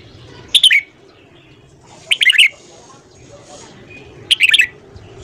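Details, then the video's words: Red-whiskered bulbul singing in the morning, a recording for voice training: three short, lively whistled phrases of four to five quick notes each, spaced roughly one and a half seconds apart, over low background murmur. "luyện giọng chào mào hót sáng"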